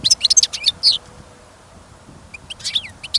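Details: Caged European goldfinch kept for listening, singing outdoors during sudden snowfall and wind on a trapping trip: bursts of high, tinkling twitters and short slurred whistles, a quiet pause, then more chirpy notes.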